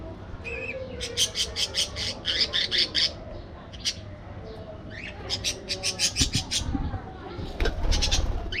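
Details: Flock of budgerigars in an aviary, chirping and squawking: bursts of rapid clipped chirps in series, pauses, then more fast chirp runs and harsher squawks, with low rumbling background noise.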